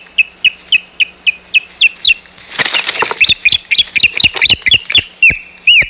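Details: Osprey in a fight over the Hog Island nest, 4 May 2020: steady rapid whistled chirps, then a burst of scuffling and flapping noise, followed by excited, jumbled high calls and a final loud yelp.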